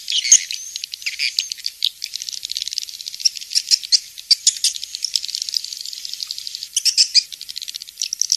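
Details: Swiftlet calls: dense, high, rattling twitters in uneven bursts, with brief pauses between louder clusters of sharp clicks.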